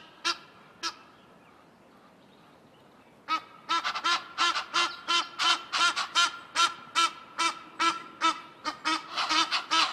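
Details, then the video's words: Egyptian geese calling while fighting over territory on a cliff above a forest; two harsh honks, a pause, then a fast run of loud, nasal, rhythmic honking calls repeated about every half second. "Egyptian Goose call"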